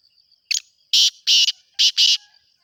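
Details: Male-style breeding-season calling of a black francolin, a rhythmic harsh phrase: a short stuttered note, then two rasping bursts, a pause, and two more. A faint high steady tone lingers between notes.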